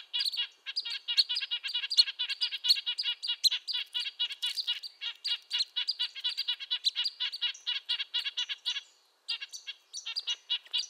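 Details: Rapid, crowded series of short nasal honks from Red-breasted nuthatch, high and tinny like a small trumpet, notes tumbling almost continuously with a brief gap near the end.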